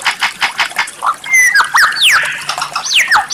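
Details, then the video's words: White-rumped shama performing rare, strange song phrases from a training recording aimed at impressing judges. Quick downslurred whistles and short slides follow soft chattering notes, over faint background hiss. "Terapi Masteran Murai Batu tembakan Langka, suara aneh memikat para juri"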